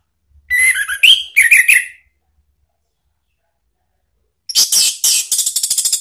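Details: Orange-headed thrush lure song ('pancingan ngeplong') used to draw a reply from a kept bird: varied whistled and warbled notes, silence, then a harsh, buzzy, high chatter repeated rapidly.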